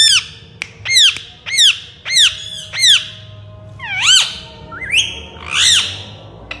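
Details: Pet Indian ringneck parakeet repeating loud, shrill squawks about twice a second. These give way to a few longer, rising and falling screeches against a quiet indoor background.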